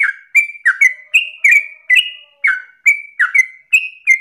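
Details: Sooty-headed bulbul giving 'ropel' song for use as a lure and tutor recording: loud separate whistled syllables, several sliding downward, spaced about a third of a second apart, with a faint low hum beneath.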